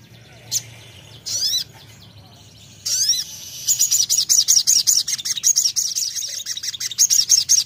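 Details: Sogon giving a few isolated high slurred notes, then launching into a fast repeated series of sharp, high chirps carrying to the end.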